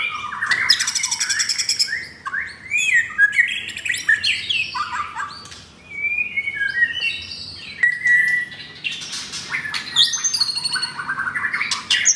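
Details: Captive-bred fourth-generation pied (blorok) White-rumped shama with coarse song material, caged in Kemayoran, Jakarta, on a Saturday morning, 10 September. It gives a rich, varied stream of loud whistles, slurred rising and falling notes and buzzy bursts, with brief pauses.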